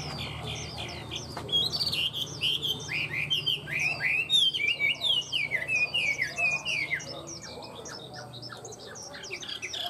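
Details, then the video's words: Tame caged Chinese hwamei giving a long outpouring of song: after a quiet start, rapid loud whistled and slurred notes pour out in a continuous varied stream, then trail into softer notes. "Chim họa mi thuần hót tốt"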